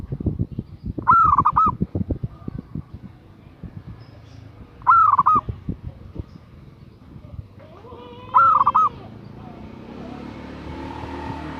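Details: Zebra dove female calling a male, giving three cooing phrases about every three and a half seconds, each a clear first note then bubbling trills and a closing note; background rustling and a rising hiss at the end.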